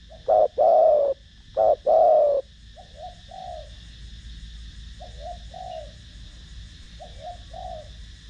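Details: Spotted dove cooing in the thổ đồng voice style, used to rouse decoy doves and train newly caught birds; two loud, low, full coos open, followed by softer paired coos repeated about every two seconds over a steady faint hum.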